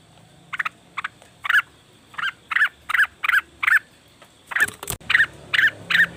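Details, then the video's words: Cucak wilis or rengganis leafbird used as a lure to draw wild birds into calling: short harsh chattering bursts, each a cluster of buzzy notes, repeated irregularly over roughly two per second, with a sharp click near the end. "pancingan burung cucak wilis/rengganis dijamin langsung bunyi"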